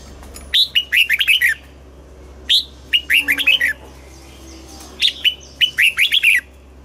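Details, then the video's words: Red-whiskered bulbul giving its morning song in double-note forest-mature style for voice training: three similar phrases about two seconds apart, each a high opening note followed by a rapid, bubbly cascade of lower whistles. "Luyện giọng cho chào mào hót sáng, ép chào mào hót âm kép già rừng hay tuyệt!"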